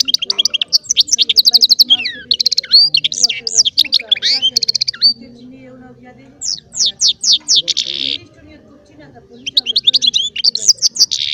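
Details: Goldfinch-style song from a small Baster hybrid: bursts of fast, high twittering and buzzy trills, separated by brief silent gaps, with sweeping slurred notes and a dense rattling phrase near the middle.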